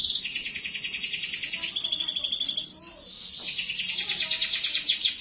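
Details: Canary singing continuously, a fast buzzy trilled song of rapid repeated notes, with a brief pause near the middle, then quick whistled sweeps and renewed pulsing rolls.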